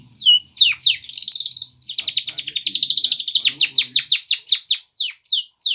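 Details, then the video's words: Polish male canaries singing: a fast run of high chirps and buzzy trills, a steady rapid rattle in the middle, then a string of sharp downward-swept notes at a quick even pace, with faint low rumbling behind. "Polish male canaries singing"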